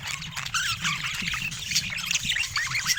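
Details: Budgerigars chatter busily in rapid, looping warbled notes and short squeaky chirps over a steady low hum.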